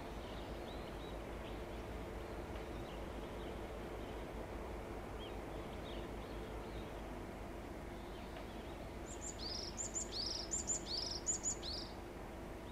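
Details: A varied tit on 13 June 2021, preening and stretching after bathing, sings a quick burst of high, clear repeated notes near the end, over steady low rumbling background noise.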